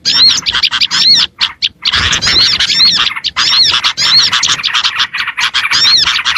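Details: Oriental white-eye song played to lure small birds: rapid, squeaky twittering in dense runs, with a brief break after one second and another near three, then steady chatter.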